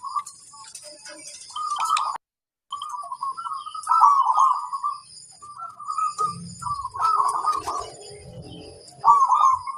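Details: Local zebra dove singing loudly to prompt other birds to answer, repeated low rolling coos in short bursts with brief gaps, one quick silence early on, faint scuffling noise midway and a steady high hum in the background.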